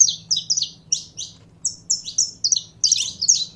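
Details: Short burst of song from a saffron finch being warmed up by its keeper. There are quick paired high chirps, a brief gap, then more sweeping notes that end in a louder jumble. A low mechanical hum is audible.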